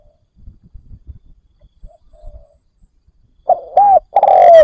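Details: Spotted dove kept as a decoy bird, calling to lure wild doves. After faint low rustling, loud mellow cooing notes start near the end, in a short run of steady, slightly falling hoots.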